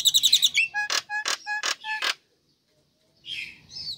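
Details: Calls of a female Nias hill myna summoning the male, played to coax silent birds: a fast rattle, then four evenly spaced, strong harmonic notes. A pause follows, then a softer, rough note.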